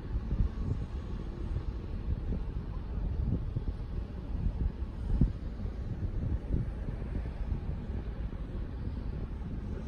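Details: Gusty wind buffeting the microphone with a low rumbling drone, rising and falling in bursts, and no audible calls.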